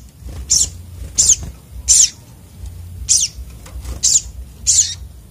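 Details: Sunbird (sogok otong) giving agitated song: six sharp, high, buzzy chips with slightly falling tails, spaced roughly 0.7 to 1 second apart, over soft low rumble.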